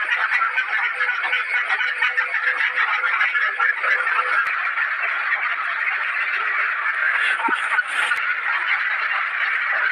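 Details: Caged ducks calling loudly together, a thick wall of overlapping harsh quacks that never lets up, with a couple of brief sharp knocks near the middle and end.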